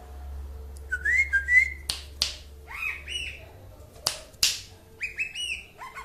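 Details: Cucak ijo (green leafbird) of the Aceh type singing in a half 'mabok' style, with bright whistled notes that slide up and fall, then short rising chirped phrases broken by loud sharp snaps and clicks.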